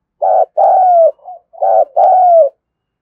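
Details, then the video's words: Cooing lure call of a Spotted dove from Dong Nai, Vietnam, used to draw in wild doves: two phrases, each a short burry coo followed by a longer, gently falling coo, separated by a soft low note. "tiếng cu gáy gọi bổi sung nhất"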